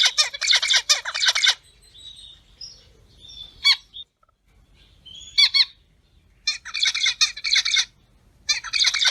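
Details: Captive-bred pet zebra finches in a small aviary: the female's loud, nasal, toy-trumpet "piap piap" calls and the rapid, buzzy, stuttering song of the male (only the male sings), in dense bursts of a second or two with short quiet gaps.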